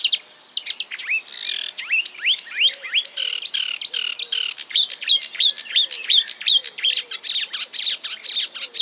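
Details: A marsh warbler pours out a dense mimicking song copying other species, rapid upslurred and downslurred whistles and chirps, nearly continuous and very high pitched.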